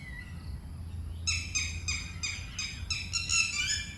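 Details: Red-wattled lapwing by water in a Thai Buddhist park, giving loud warning cries when approached near its young; a fast series of harsh, piercing notes delivered in quick succession after a brief quiet start.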